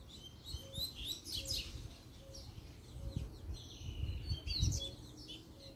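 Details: Double-collared seedeater song said to challenge rivals to a fight: faint, quick high whistled and chirped notes in short bursts, with soft low thumps, a steady low hum and a faint repeated mid-pitched beep.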